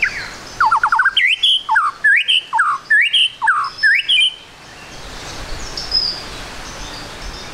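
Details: White-rumped shama song used as a lure to make the bird sing quickly: a rapid burst of loud whistled notes, many sharply rising sweeps delivered about four per second for four seconds, then a fading quiet background.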